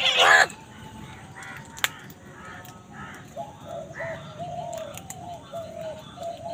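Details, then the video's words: Crow among wild birds competing for food gives one short, loud, hoarse caw at the start, followed by a run of quiet, soft, repeated calls from other birds. "Crow Sound কাকের ডাক"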